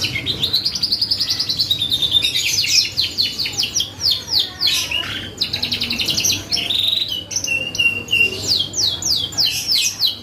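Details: Canary singing hard as a lure to provoke other birds to reply: long runs of fast repeated high trill notes, pulsing rhythmically, broken by brief buzzy flourishes and sharp chirps.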